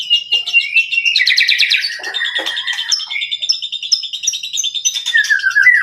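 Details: Murai batu, the white-rumped shama, in full voice: dense, fast-changing phrases of clear whistles, stuttering trills and bright rising notes, ending on a lower downslurred whistle.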